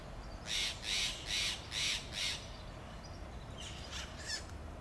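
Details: Contact calls of Steller's jays in a Monterey pine forest, Del Monte Forest: a run of five rasping, harsh notes in quick even succession, followed by a few fainter, more distant squawks.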